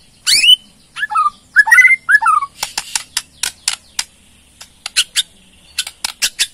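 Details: Bornean white-rumped shama with rattling ketrekan calls and a varied song repertoire: a rising whistle, then slurred falling whistled notes, followed by a run of sharp dry clicks at irregular intervals.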